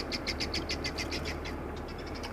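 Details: At sunset on 8 September 2024, at Rietspruit Game Reserve in South Africa's Lowveld, helmeted guineafowl give a harsh, rapid rattling alarm after spotting a male lion, moving away noisily.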